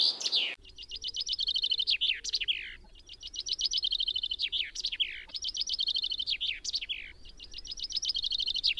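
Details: Common chaffinch repeating its song about every two seconds, each phrase a lively cascade of crisp repeated notes falling into a flourished finish. A soft low hum sits beneath.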